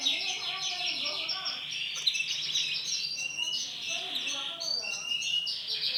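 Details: Male white canary in steady song: long, high, rolling trills follow one another almost without pause, some buzzy and some liquid, with faint background noise underneath.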